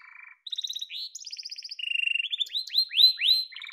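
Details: Yellow domestic canary singing a varied song: a soft low buzzy roll, then fast bright trills, a rattling stretch, and a run of rising swept notes ending in another low roll.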